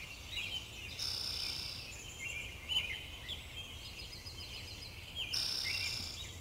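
Pine siskins give high, wheezy twittering notes and thin buzzy trills, several birds chattering together over a steady low background hum.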